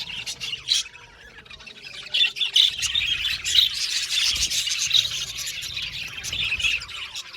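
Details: Budgerigars of an aviary colony singing and chirping; starts with sparse short chirps, then swells into rapid, bubbly high warbling with squeaky notes repeated in quick succession.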